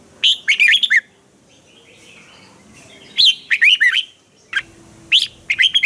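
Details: Caged red-whiskered bulbul, keen and sharp-voiced, sings a training song: three rapid, chattering, warbled phrases of slurred whistles separated by pauses, with an isolated short note before the last phrase.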